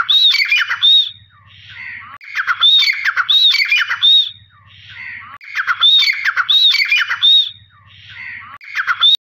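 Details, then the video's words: Teetar (francolin) giving a repeated call: loud, grating multi-note phrases with ringing whistled accents, repeated about every three seconds at a steady rhythm, with a faint low hum in the gaps. "Teetar Ki Awaaz | Dakhni Teetar Sound |Irani Teetar Sound |Sindhi Teetar Sound"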